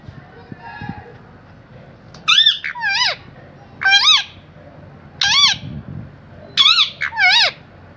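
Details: A parrot gives paired, harsh, harmonic squawks. Each second note drops sharply in pitch. The pairs repeat about every one and a half seconds over low background hum.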